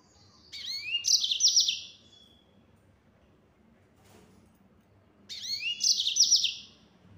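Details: Two separate high, fast twittering phrases, each about a second long with sharp rising and falling chirps and silence between them, sung by a yellow-fronted canary in the 'nembak' style.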